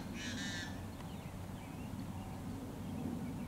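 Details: Harsh, raspy buzz of a yellow-headed blackbird at Great Salt Lake wetlands in summer, one loud grating burst about half a second long, followed by faint distant chatter over constant low background rumble.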